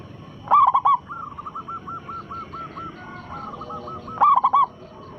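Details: Zebra dove, local type, singing as a lure to set other doves calling: two loud, bubbling coo phrases about four seconds apart, with a softer dove's even, repeated coos running between them.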